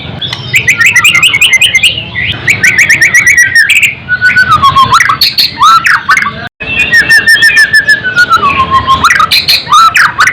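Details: White-rumped shama song meant for tutoring birds and lifting their excitement: long passages of fast chattering notes over clear descending whistled slurs, with a short break midway.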